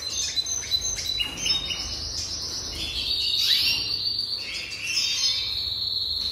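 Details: A jasper canary delivers a song of fast pulsed trills that shift between pitch levels, sliding upward in the middle and then settling into a steady high rolling trill.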